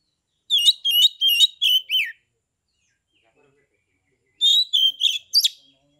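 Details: Oriental magpie-robin kept in Kebumen, Central Java, Indonesia, giving 'ngeplong' song meant to goad other magpie-robins into singing: a burst of five rapid, sharp whistled notes, a two-second pause, then another quick whistled burst ending with a rising note.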